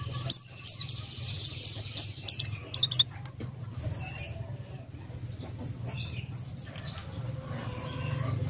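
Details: Buxtoni ngalas style song of the Oriental white-eye, used as a lure so other birds start singing: a burst of rapid, high, piercing chirps in the first three seconds, then softer, thinner twittering over a steady low hum.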